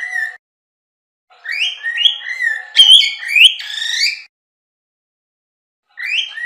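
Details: Cockatiel song: a short steady whistle, a pause, then a run of clear whistled notes stepping upward with bright harmonics, a loud sliding peak near the middle, and a fresh whistled phrase starting after silence.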